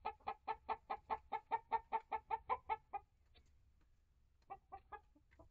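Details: Hens in a backyard coop and run, year-old layers of three breeds with chicks hatched August 2023. Fast, evenly paced clucks at about five per second for three seconds stop abruptly, followed by quiet and a few scattered clucks.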